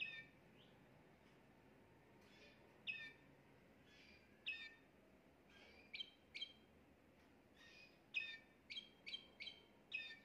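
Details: Timbrado canary, a household's top singer recorded a day earlier for tutoring young canaries, delivering short sharp chirps in irregular bursts, some in quick runs of three or four, over quiet indoor background hiss.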